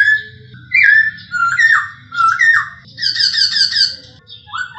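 A male masked laughingthrush sings loud, slurred whistles that rise and fall, with a quick rippling phrase midway, over a low steady hum.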